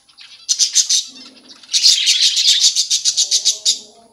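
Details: Budgerigars in a breeding colony where baby budgies have come out, giving rapid bursts of high, harsh chirps repeated several times a second, with a short pause mid-clip, over a steady low electrical hum.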